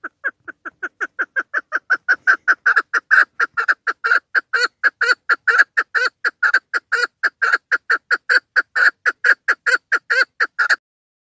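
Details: Female chukar partridge call used to lure birds for hunting: a steady series of about twenty-five short, harsh, clucking notes per ten seconds, evenly repeated with slight variation in loudness, no other sounds.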